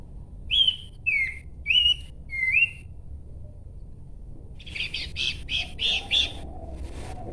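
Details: Four pure, whistled notes from a Horsfield's babbler, each slurring slightly up or down, then a fast chattering series of harsher high notes after a pause.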